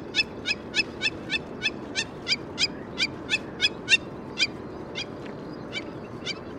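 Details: Hamerkop in Kruger, South Africa, giving a rapid series of sharp, nasal, high-pitched notes, about three per second, slowing slightly toward the end over a low background hum.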